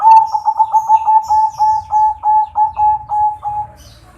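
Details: Zebra dove in the kresing style, from a local crossbred and Bangkok line, used as a lure to get a reluctant dove singing: a rapid string of about a dozen even, mellow, mid-pitched coo pulses, then fading.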